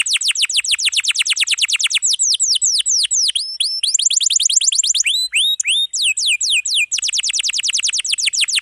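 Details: Atlantic canary singing long rolls for tutoring young or silent canaries: fast runs of high descending sweeps, switching to quicker trills and scattered slurred notes, then rapid sweeps resuming, loud and unbroken.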